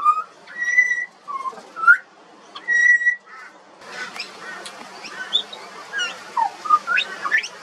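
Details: Juvenile pied butcherbird singing in Australia: clear whistled notes near one pitch, some with harmonics, separated by short pauses, then a busier stretch of short slurred and rising whistles mixed with faint chatter.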